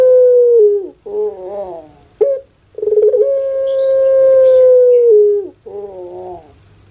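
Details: Domestic Pelung chicken from Java, Indonesia, giving a falling note and wavering, rough phrases, then a sustained, clear crow held over two seconds before dropping in pitch, ending in a broken, wobbling tail.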